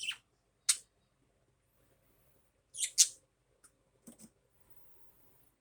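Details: Pet budgerigar in the morning giving a few isolated bright chirps, a doubled squeaky note midway, then soft clicks and quiet; sparse calling.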